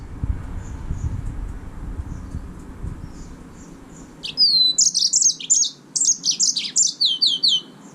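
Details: Yellow-fronted canary, or green singing finch, singing a bright, high phrase of whistled sweeps and rapid buzzy trills that starts after a faint stretch with low background noise, then repeated downslurred whistles near the end.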